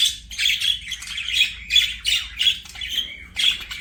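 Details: Pet budgie giving separate short, grating squawky chirps about twice a second, each a harsh high burst with a clearer whistled note inside.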